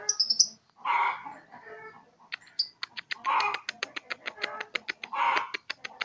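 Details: Young lovebird, three months old, practising its chattering ngekek song: high squeaky chirps, then harsh chattering bursts that run into a fast series of sharp clicking pulses.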